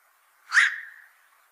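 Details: Black-crowned night heron, a fish-eating pest at fishponds, uttering one abrupt, throaty bark that decays slowly over half a second in quiet surroundings.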